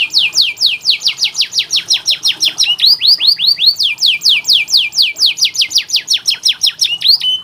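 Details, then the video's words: Canary master song for training other canaries: a continuous, fast, even series of sharply descending whistled notes with a few rising phrases mixed in, sustained throughout. "KENARI malas bunyi, Terapi untuk kenari masteran canary"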